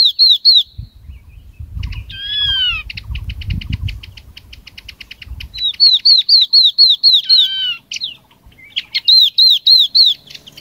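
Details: A Chinese hwamei's lure call for attracting a flock: loud, clear whistled phrases repeated rapidly, with rich slurred notes and a fast stuttering trill, and soft low rumbling beneath early on.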